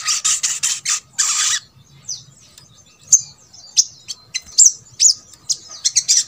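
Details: Sogok ontong (brown-throated sunbird), used to coax silent birds of its kind into song: an opening burst of rapid shrill chatter, then spaced high-pitched chips and thin slurred squeaks.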